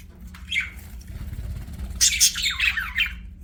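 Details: Budgerigar chirping: a brief squawky note, a pause, then a loud burst of harsh chirps and descending warbled notes, with a low hum in the background.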